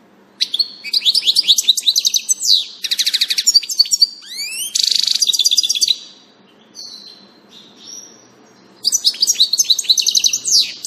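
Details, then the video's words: A European goldfinch, recorded 16 June 2018, sings a fast, tinkling run of bright twittering notes and liquid trills, broken by a brief pause before the chatter resumes. "Distelfink Stieglitz Goldfinch"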